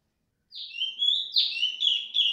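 A female Black-throated Laughingthrush gives loud, clear whistled notes, each falling then levelling, in a quick run of three or four.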